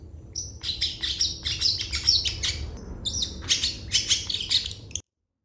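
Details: Long-tailed shrike singing a dense, chattering 'full isian' medley: fast, rapidly repeated harsh high notes running almost continuously, broken by a short gap, ending abruptly, with a low background hum.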